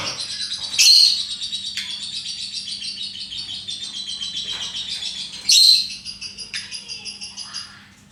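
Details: A pet lovebird pours out fast, continuous high-pitched twittering for about eight seconds, broken by two loud piercing shrieks, then trails off. The owner asks how to get it to sing ngekek. A low hum is faint.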